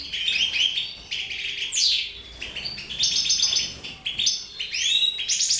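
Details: Mutation goldfinches singing: a fast, continuous twittering of bright high notes, with buzzy rising and falling sweeps woven in and short pauses between phrases.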